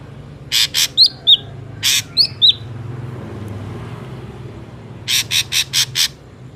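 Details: Ashy drongo song used as a lure for trapping: harsh rasping notes with sharp downslurred whistles, a quiet gap, then a run of five rasps.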